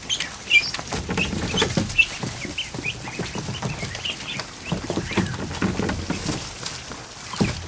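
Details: Over a hundred newly hatched ducklings crowded in a kiddie pool in a barn on an afternoon. High, short peeps are scattered through the flock, over steady splashing and dabbling in the water.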